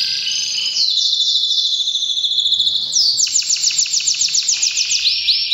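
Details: Canary belting out breeding-season song: a high, smooth, rolling trill that jumps up in pitch into rapid repeated chirping notes, steady and very fast.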